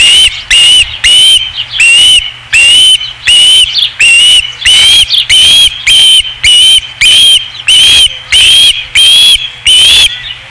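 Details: Osprey at a nest, recorded 5 August 2016, calling insistently with about eighteen loud, shrill whistled notes, each slightly rising, repeated steadily every half second or so.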